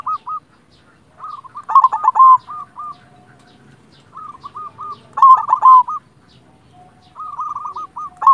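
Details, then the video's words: Three similar phrases from a singing local silver zebra dove, each a short run of clipped, hooked coos swelling into a harsh, rolling flourish, separated by pauses of about two seconds. "Perkutut silver gacor Jagonya Mengundang Bunyi Bikin Yang Macet Langsung Nyaut"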